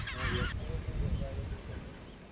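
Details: Chinstrap penguin (Pygoscelis antarcticus) in Antarctica gives a harsh, braying honk, followed by lower, grating call notes over a steady low rumble of wind.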